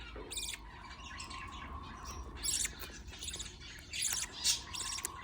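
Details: Budgerigar chicks being fed by a parent: rough, raspy high bursts repeated at uneven intervals, some louder and harsher, over a steady low hum and a faint constant mid tone.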